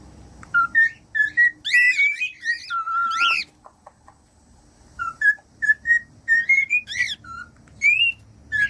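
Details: Cockatiel song for teaching a pet cockatiel to sing: clear whistled notes near mid-high pitch, some rising and some level, mixed with harsher chevron-shaped chirps, in two bursts separated by a quiet pause.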